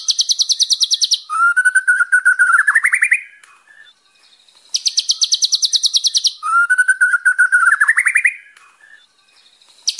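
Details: A white-rumped shama, in a song recording meant for tutoring young birds, gives a rapid, high ticking rattle and then a rich whistled phrase that climbs in pitch. The same phrase repeats twice, with nothing else heard.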